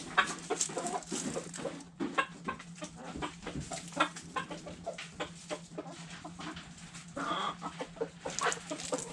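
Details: Backyard chickens eating food scraps: busy pecking clicks and scattered clucks, with a brief higher squawk about seven seconds in.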